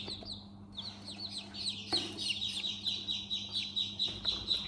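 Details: Baby chickens in their house chirp continuously: thin, high, downward-sliding peeps from several birds, about two per second, overlapping, over a faint steady low hum.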